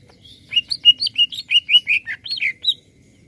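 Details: Greater green leafbird singing briskly to excite other birds: a fluent phrase of about a dozen clear, slurred whistles, mostly steady in pitch with a few rising notes.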